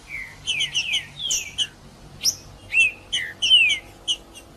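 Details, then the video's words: Green-winged saltator in heated 'macheando' singing used to warm up other birds: lively whistled phrases combining clipped notes and sweeping downward slurs, spaced by short pauses. "Trinca-ferro Macheando com Trinca ferro cantando Para Esquentar Trinca ferro"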